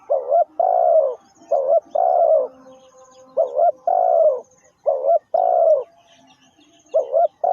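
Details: Spotted dove calling as a lure for trapping: repeated cooing phrases, each a short double coo followed by a longer drawn-out, falling coo, the pair repeated four times with short gaps, no other sounds.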